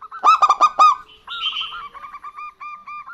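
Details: Lively local zebra doves, female and male answering each other: four quick, loud, resonant coos, then a faint higher note and a row of soft, evenly spaced coos.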